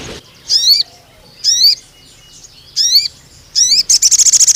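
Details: Crimson sunbird used to train young males: four squeaky, descending multi-note phrases about a second apart, then a fast high trill begins.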